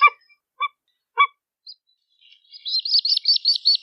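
Pied-billed Grebe: three harsh, mid-pitched notes about half a second apart, then a fast run of high, rising-and-falling chattering notes.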